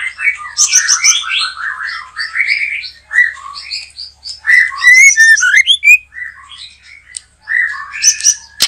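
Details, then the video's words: Singing white-rumped shama at a backyard trapping site: long run of warbled, chattering phrases with varied whistles, a few bright clear upslurs midway, continuous and fast. "Cukup Dikebon Belakang Rumah Mikat Burung Murai batu,,Sudah gacor dorrr"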